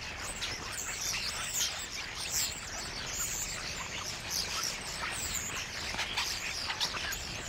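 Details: In reed beds at Matsalu, Common Starlings chatter in a dense, busy mix of high whistles, clicks and squeaky chirps, overlapping constantly over a steady background hiss.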